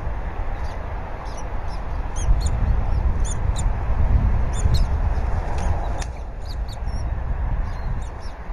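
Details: Bald eagles at their Berry College nest on a February morning: the male brings a half-eaten fish and works on the nest while the female feeds the eaglet. Thin, high chirps repeat in quick uneven bursts over a steady low rumble of wind.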